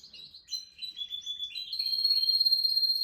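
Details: Canary song opening with soft chirps, then a sustained high whistled tone that grows louder and holds steady for over a second.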